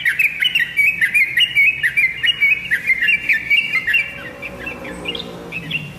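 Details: Lively song from a tame sooty-headed bulbul, called trotokan locally: fast, rolling whistled notes bouncing up and down, strong at first, then softer and more scattered in the last seconds.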